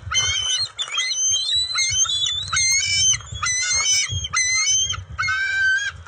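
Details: Two juvenile bald eagles at their nest during eel and fish deliveries on June 29, 2021, scuffling and sharing food. They give a run of high, squealing, harmonic calls in about seven bursts over six seconds, over low thumps and rustling.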